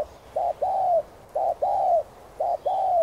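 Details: Close, loud coos of a spotted dove in the hạp voice, used to prompt other doves to sing quickly: three quick paired phrases, a short note then a longer gently descending coo, steady and evenly spaced.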